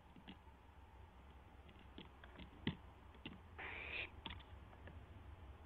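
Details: Barn owl at 12:06 AM on April 12, 2016, with an owlet testing its wings: many light clicks and scratches, broken by one harsh hissing screech of about half a second.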